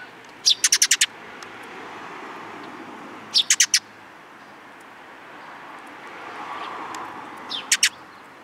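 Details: Eurasian tree sparrows, a newcomer among them, in Japan on 13 April 2022 on the outward walk: three rapid bursts of sharp chirps, first about six notes, then four, then three, against a soft rumbling background.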